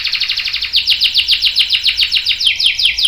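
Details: Canary rolling song for tutoring young canaries: a quick trill that slows into a regular series of downslurred notes, roughly five per second.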